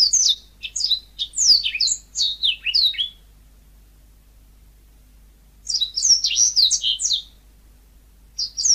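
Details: Yellow-fronted canary (burung mozambik) singing quick runs of high sweet chirps and downslurred whistles, about three seconds of song, a long silence, then another burst.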